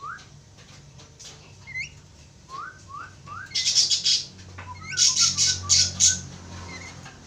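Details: A pair of Javan mynas calling: rising whistled notes repeated irregularly, then bursts of harsh, noisy high squawks alternating with short whistles, over a low steady background hum.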